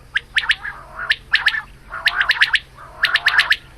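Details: A female quail calling in the morning, used as a hunting lure, gives bursts of sharp, high chirping notes in quick clusters of three to five, with a raspy undertone, repeated roughly every second.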